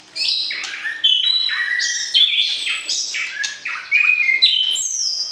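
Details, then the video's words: White-rumped shama mating song used to arouse the opposite sex before pairing for breeding: rich, varied whistled phrases leaping between high and lower notes, delivered continuously with brief sharp accents. "PERJODOHAN Murai Batu, PANCING Birahi Lawan Jenis"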